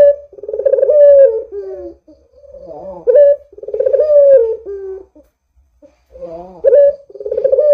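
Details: Rolling coos of a Barbary dove, played as a lure to get other doves calling, repeat in long swelling phrases that slide downward, separated by short quavering notes and a brief pause.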